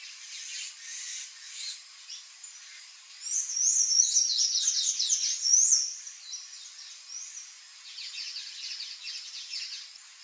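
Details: Palm tanager with soft twittering at first, then a loud three-second burst of rapid, squeaky high-pitched notes, followed by quieter chattering twitters to the end.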